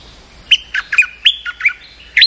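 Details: Stripe-throated bulbul lure recording meant to draw in a territorial resident: a lively run of about seven clear, sharp whistled notes, some rising and some falling, spaced at short uneven intervals.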